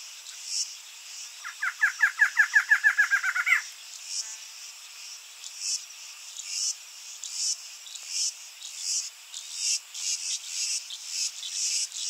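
Barred Antshrike song: a quick, accelerating run of nasal notes that ends abruptly.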